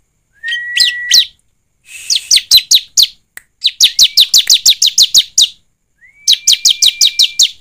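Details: ['Bar-winged prinia singing as a lure to coax a bird into song: a level whistle, then a rapid run of high, sweeping chirps at about four per second, ending with another long steady whistle and more chirps.']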